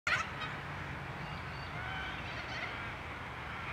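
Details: Little corella, recorded 11 January 2023, gives a harsh, grating screech at the start, followed by a steady rasping din from more birds under a low background rumble.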